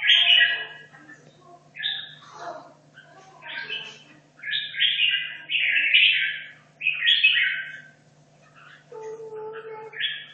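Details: Competition-training red-whiskered bulbul from Hanoi, two and a half years in a cage, giving a series of short warbled bursts roughly every second, strongest around five to seven seconds, over steady electrical hum and faint tonal background.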